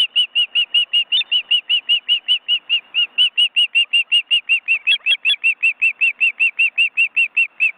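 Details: In an Estonian forest reserve, ospreys on their nest with nearly fledged chicks that keep spreading and beating their wings. Nearly forty sharp whistled notes in an even rapid chain, a few higher, brighter notes mixed in midway.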